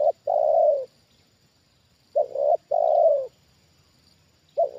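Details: Trained spotted dove responding to a descending wild bird on its second approach. It gives strong, low hollow coos in paired bursts, each phrase ending in a longer drawn-out note, with quiet pauses between.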